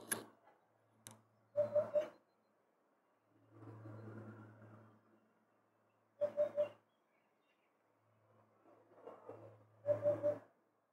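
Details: A Eurasian hoopoe (Upupa epops), recorded on 12 April 2024, gives soft, low, hollow triple hoots, oop-oop-oop, repeated about every four seconds over a low rumbling background.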